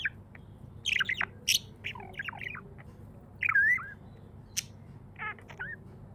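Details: Pet budgerigar in a happy mood gives twisting warbled chirps and a rising whistled trill, with sharp clicks between phrases and a low steady hum in the background.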